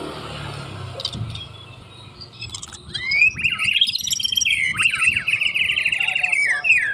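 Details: White-rumped shama in full song: after quiet faint chirps, a loud rapid rippling trill of warbled notes rising and falling, sustained for several seconds, with low background noise.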